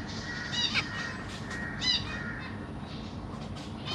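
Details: Captive Zebra Finch family on 25 June 2023, parents feeding three juveniles and three new fledglings in a large cage: two loud, harsh, nasal calls about a second apart, over softer chatter and constant low background hum.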